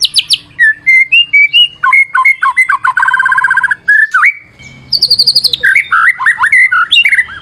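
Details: White-rumped shama song used as a lure: a loud, varied run of whistled, slurred phrases, trills and rapid repeated notes, with quick rising and falling sweeps and brief pauses.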